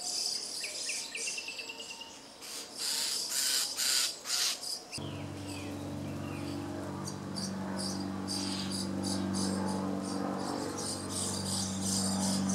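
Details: Common starling (Sturnus vulgaris) singing in a grove near Jarun, Zagreb, Croatia, late April–early May 2017: a jumble of clicks, rattles and short chirpy notes in quick bursts, with a steady low mechanical hum joining halfway.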